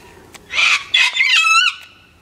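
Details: A Sulphur-crested Cockatoo visiting a bird feeder, cranky and not his usual perky self, screams a series of raucous rasping squawks that end in a long harsh descending tail.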